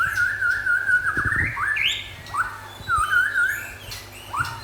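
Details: White-rumped shama, local and forest birds, singing a long wavering whistle that climbs into a higher note, then clipped phrases and a rich warbled whistle, over a low steady hum.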